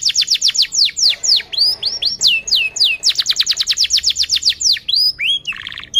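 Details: Canary song used to train young canaries: runs of repeated descending sweeps, slower looping whistles, and a brief buzzy trill at the end.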